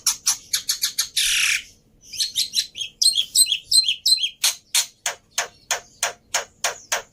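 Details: Black-winged myna giving a varied lure and training song: quick clicking notes, a rasping burst, twittering warbles, then evenly spaced sharp calls about every third of a second.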